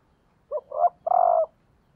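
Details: Female spotted dove used as a decoy, calling to stimulate males: two short low coos followed by a longer, steady, slightly buzzy coo, clean and close with a quiet background.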